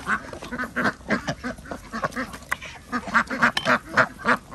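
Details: Farm ducks being fed in Andhra Pradesh, their short nasal quacks repeated about three to four times a second in a fairly steady rhythm, several birds calling together.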